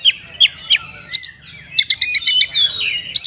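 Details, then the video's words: Oriental magpie-robin song in kapas tembak style: three spaced sharp notes, a soft falling whistle, then a dense rapid chattering trill of high chips with a clear whistled ending. "ISIAN KACER PALING BERBAHAYA HOT 🔴 KACER RASA KAPAS TEMBAK ORIGINAL SOUND"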